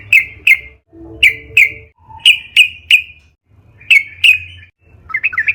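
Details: Yellow-vented bulbul (trucukan) in full lively song, used as a lure to make other trucukan sing: paired sharp chirps repeated in short bursts, a few lower whistled notes, ending in quick chattering notes over a faint low hum.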